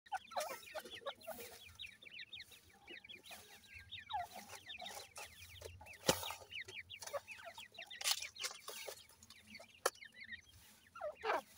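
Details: Grey francolin chicks in the new season: a dense chorus of short, high peeping chirps, many rising or falling quickly, overlapping from several chicks, with sharp clicks and rustling throughout.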